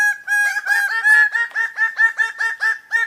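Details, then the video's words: Bird of paradise giving a loud, nasal, strongly harmonic call: a longer opening note, then a rapid run of similar clipped notes, about four per second. "the sound of birds of paradise"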